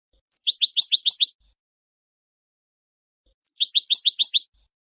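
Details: Two twittering phrases from a Moroccan goldfinch, about three seconds apart. Each begins with a clear high whistle and tumbles into six or seven quick, liquid chirps. No other sounds.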